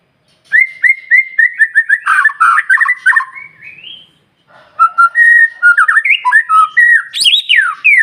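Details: White-rumped shama song used as a lure to get other shamas singing: clear whistled notes repeated rapidly, then rising slurred phrases, a short pause, and a varied burst of rising and falling whistles ending in high sharp notes.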